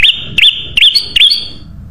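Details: Sooty-headed bulbul used to lure other birds: four quick, looping whistled notes about a third of a second apart, bright and slightly rising.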